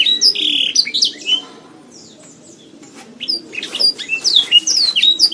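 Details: Canary song used as a masteran training recording to build a pet canary's mentality and voice: rapid bursts of high, sweeping whistles and trills, a pause of about two seconds, then dense twittering phrases resuming.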